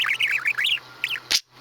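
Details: Pet male budgerigar, about five years old, recorded 23 May 2017, running through his repertoire of farty noises: quick wavering chirps rising and falling in a fast warble, ending in a short harsh broadband burst.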